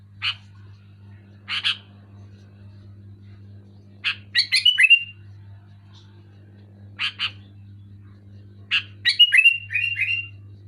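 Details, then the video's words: Sooty-headed bulbul (kutilang) singing loudly and clearly: sharp single chirps at uneven intervals, twice breaking into quick bursts of downslurred notes, over a steady low electrical hum. "Suara burung kutilang gacor keras jelas"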